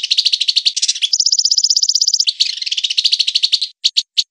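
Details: Rough chattering song of a white-rumped shama used to tutor songbirds: dense scratchy notes run into a fast, even, high trill lasting about a second, then more harsh chatter ending in three separate clipped notes.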